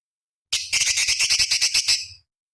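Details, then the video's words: Cucak cungkok bulbul master song for training competition songbirds: one rapid rattling burst of about a dozen harsh, buzzy notes lasting over a second, with silence before and after. "Masteran Cucak Cungkok Istimewa ~ Isian Pedas Tajam Kasaran"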